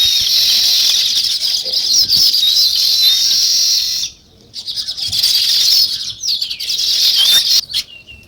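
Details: A dense flock of sparrows, possibly weaver birds, chatters in a steady, high-pitched wash of overlapping chirps, with a brief near-silent break partway through before the chorus resumes.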